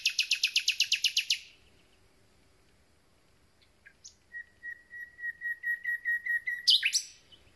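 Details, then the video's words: Freshly arrived common nightingale in concert: a rapid rattle of about a dozen loud repeated notes, a pause, then a long crescendo of soft piping whistles on one pitch ending in a sharp flourish. "Słowik rdzawy i jego piękny śpiew"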